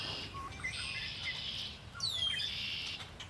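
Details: Wild birds singing beside Lake Erie: scattered high chirps and a bright downward-sweeping whistle near the end, over a steady high hiss of distant calling birds.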